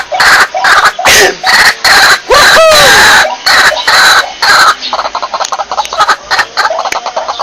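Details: A white-breasted waterhen calls as a lure: rapid loud harsh bursts repeated more than twice a second, one clear down-sliding whistle in the middle, then quicker softer stuttering notes.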